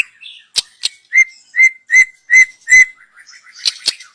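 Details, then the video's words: Wild young white-rumped shama singing for use as a lure: soft chatter, two sharp clicks, then five loud pure whistles in steady succession, followed by quiet twittering and more clicks. "Kicau burung MURAI BATU Muda Hutan. Cocom untuk pancingan"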